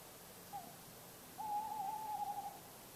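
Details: Tawny owl calling at night near Bergen, North Holland, the Netherlands, on 10 August, approaching from the distance. A short low hoot is followed after a pause by one long, steady, slightly wavering hoo note, faint against quiet night background.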